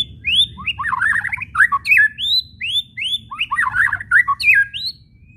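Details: White-rumped shama whistles and chattering (kretekan), used as a lure to provoke other shamas into singing: clear rising whistled notes mixed with bursts of rapid, scratchy chattering, repeated in uneven phrases over a low background hum.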